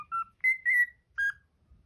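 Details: Pet cockatiel whistling a learned tune, the Pythagora Switch opening theme: four clear whistled notes, the middle pair long and slightly falling, the last lower, with short silent gaps between.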